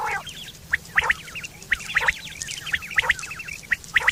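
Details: Quail sound from September 2023, a call meant for hunting and mating: thin, quick chirps and twitters, some paired, others in short runs, rather soft, with a low steady hum in the background.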